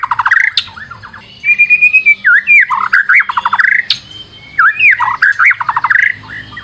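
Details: White-rumped shama lure song: dense rapid trills and rolling buzzy notes interleaved with long sweeping whistles, two similar phrases in succession over a faint low hum.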